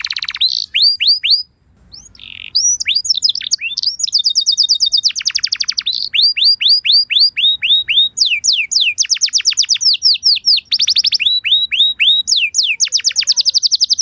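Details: Canary lure song played so other canaries will answer right away: lively mix of upswept chirps, dense rolling trills and buzzy notes, with a short break near one and a half seconds, singing steadily throughout.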